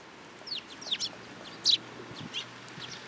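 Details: Sparrows gather to be fed at a Tenmangu shrine on 10 July 2022. A few short, sharp, high chirps come at scattered moments over a quiet background, with one louder burst near the middle.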